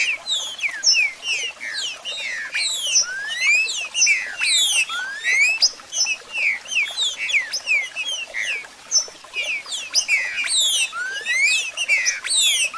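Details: Trinca-ferro (Green-winged Saltator) song with 'marcheando', played to stimulate kept birds: a long, dense stream of overlapping whistled upsweeps and downslurs, rapid and continuous, sounding like several birds singing at once.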